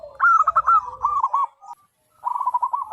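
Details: Vigorously calling local wild zebra dove with a big, clear voice, used to lure wild birds: a descending jumble of fast coos, then after a pause an even, rapid trill-like series, with a low murmur underneath.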